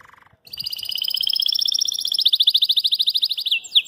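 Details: Belgian canary singing, perhaps at a rival or to court a female, after seeing its reflection on a phone: a long, fast, loud rolling trill of bright repeated notes slowly falling in pitch over three seconds.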